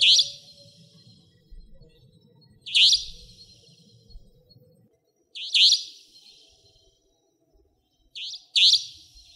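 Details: Savanna Nightjar in Pingtung County, Taiwan, 2014–2015: series of harsh, buzzy high-pitched notes, about five in nine seconds, the last two closely paired, with low background hum early on.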